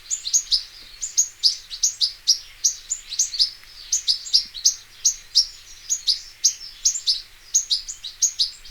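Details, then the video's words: European goldfinch, locally named taqtaq shouk, recorded in nature: high, bright twittering phrases, mostly paired chirps, repeated steadily about three times a second with a faint hiss behind. "صوت الحسون حسون ذهبي عروس التركمان طقطق شوك الحسون صافي من الطبيعة European goldfinch sound"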